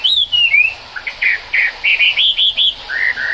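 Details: Chinese hwamei in the rain giving sliding whistles, then a series of short, pure whistled notes repeated about three per second, ending on two lower drawn notes.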